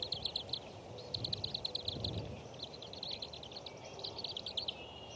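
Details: Bald eaglets begging as a parent feeds fish to the three young at the Decorah nest; shrill, high chirps in fast, stuttering series that repeat almost without pause over low background rumble.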